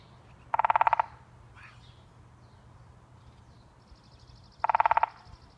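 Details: A pileated woodpecker hammers at an apple tree on Fidalgo Island, Washington State. Two short, fast rolls of resonant taps are separated by about four seconds. Faint high bird notes and soft background hiss can be heard.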